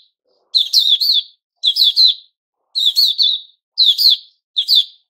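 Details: Puteh Raja, or white-crowned shama, freshly moulted, giving five short, loud phrases of ringing notes with a falling whistle at the end, spaced roughly a second apart.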